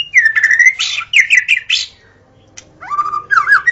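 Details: White-rumped shama singing in the forest: a falling whistle, a burst of rapid chips, a pause, then fluid wavering whistled notes.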